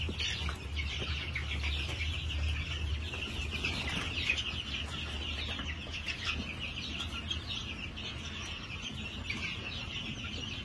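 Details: New Hampshire chickens on a farm, recorded 22 March 2021: a busy, irregular chorus of high chirps and clucks, roughly two notes per second from many birds, over a low constant hum.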